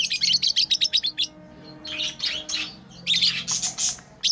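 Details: Pet lovebirds at play giving a rapid run of about ten sharp, high chirps, followed by a pause, then softer raspy chatter and a second burst of bright, harsh chirps.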